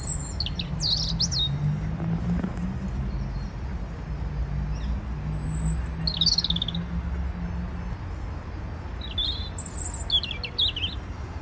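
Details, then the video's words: A European robin sings three short, thin, high warbling phrases separated by pauses of a few seconds, over a steady low rumble of city traffic, in a city park in January. "Il y avait ce beau rouge-gorge qui chantait. Je vous laisse profiter de son chant, même si le son de la ville est aussi présent."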